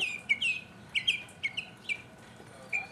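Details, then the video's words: A single mockingbird sings in 2015, giving bright downslurred whistled notes in pairs and short clusters, with pauses between the bursts. "mockingbird Solo 2015"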